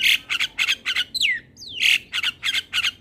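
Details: Javan myna in the morning, recorded so young mynas can learn the song: rhythmic harsh raspy chatter interrupted by two long downward-sliding whistles, then the chatter resumes.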